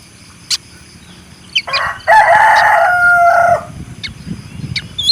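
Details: Single rooster crow: a rough opening syllable, then a sustained harmonic note trailing off, with a few sharp chirps from small birds before and after.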